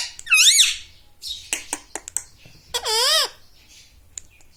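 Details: Pet parrot indoors, copying words like mummy and papa; two squeaky, wavering word-like phrases separated by a few sharp clicks.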